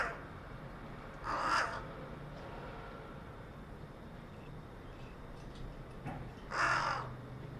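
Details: A carrion crow on a utility pole in a residential area, 4 February 2021, gives two widely separated harsh caws about five seconds apart, with low background noise between.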